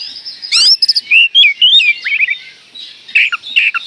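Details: Oriental magpie-robin song used as a lure to provoke another magpie-robin: a rapid sequence of whistled, slurred notes and short chirps, rising and falling, with a brief harsh burst near the start and buzzy notes toward the end.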